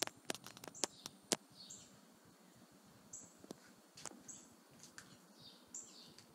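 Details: A domestic pair of wood ducks in an aviary coop give thin, high, squeaky whistles at irregular intervals, mixed with sharp clicks and taps from nearby movement.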